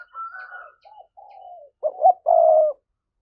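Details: Spotted dove 'thúc' coo, a lure to provoke wild doves: a faint higher wavering tone and soft low notes first, then a loud double note and one long, strong, low coo.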